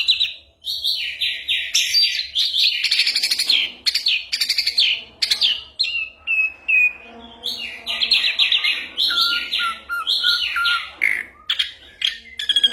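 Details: Ashy drongo in a varied mimicking song used as a tutor recording for training songbirds such as the white-rumped shama: dense run of loud chattering phrases, whistled notes and buzzy bursts, with a short falling whistled series near the end.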